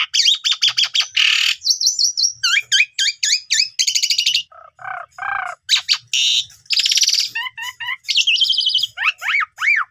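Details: Continuous Asian pied starling song played to spur quiet young starlings: quick strings of chirps and rasping buzzes, lower mellow notes midway, and descending whistled slurs near the end.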